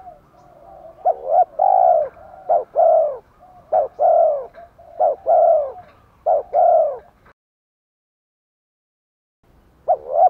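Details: Lure recording of spotted doves, female and male, for stirring wild-caught birds to coo. Repeated mellow phrases with short clipped notes leading into a long hollow coo, five in a row, then silence before a new start.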